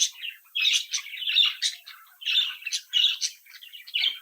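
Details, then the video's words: Captive budgerigar chicks, a lively brood, tweeting and warbling; rapid raspy chirps and twittery trills tumble in short bursts with little silence between them. "Sonidos de Mi Cría de Periquitos Australianos"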